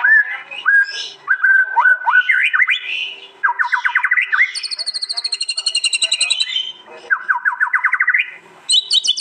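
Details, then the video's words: East Javan white-rumped shama contest song, its fierce 'tembakan' bursts phone-recorded and merged: whistled notes and upward-stepping chip runs, a long rapid high buzzy trill, then more rising chip series. "Tembakan murai batu paling Ganas di gantangan bikin lawan ciut nyali"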